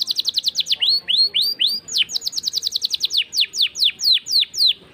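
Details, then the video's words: Vigorous canary 'gacor' song, 'cengkok mewah' style: a fast rattle of falling notes, slower rising sweeps, another quick series, then widely spaced loud downslurred whistles. "Suara Burung Kenari Gacor cengkok mewah"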